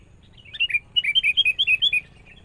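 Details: Sooty-headed bulbul, a young forest-caught bird in training alongside a lure bird. A quick, cheerful string of about ten slurred, bouncing whistled notes follows one another without pause.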